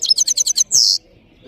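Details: Powerful song of a European goldfinch (saira) from Parachinar: six quick, evenly spaced high twittering notes followed by one harsh, buzzy drawn-out note, then silence.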